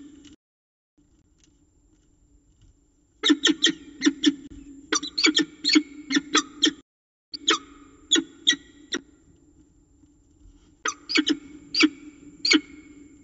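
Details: Peregrine falcons at the nest during feeding in Orange, Australia. Loud, harsh, grating begging notes come in rapid bursts, several strings of short calls separated by brief pauses, over a steady low hum.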